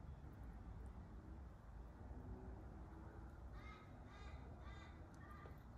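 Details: A Camelot macaw eating a grape outdoors on an alfresco area gives four harsh, raspy squawks about half a second apart near the end, over a steady low rumble of background noise.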